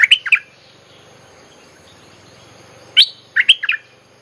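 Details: Bulbul lure song used to call wild birds: a quick burst of bright chirped notes, a long pause, then a second cluster of sharp, warbled chirps near the end.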